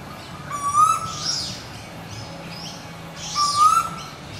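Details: Wild swamphens, two chicks with their parents, nesting in a turtle exhibit at a theme park on the Gold Coast, Queensland, Australia. Two loud, rising, harmonic-rich calls about three seconds apart, with faint high chirps in between.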